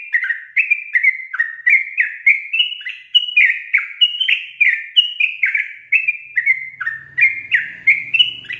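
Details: Long, energetic rapid song of a sooty-headed bulbul, played to push other bulbuls into fast singing: continuous chain of liquid whistled notes sliding downward, with a faint low hum appearing toward the end.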